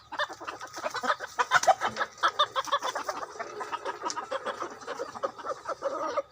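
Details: Decoy chicken clucking loudly and densely, clipped notes tumbling over one another in a busy, almost continuous chatter.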